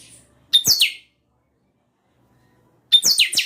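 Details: Two bursts of chanchão song from a captive-bred bird, about two and a half seconds apart. Each is a quick, high, buzzy phrase of falling sweeps that starts with a bright clipped note. The background is near silent.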